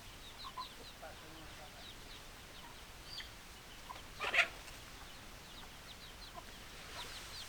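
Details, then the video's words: Chickens clucking: short, soft clucks scattered through the clip, with one louder, harsher burst in the middle and a few sharper notes near the end over a steady faint background hiss. "Chicken Sounds Noises Hens Clucking Roosters Crowing"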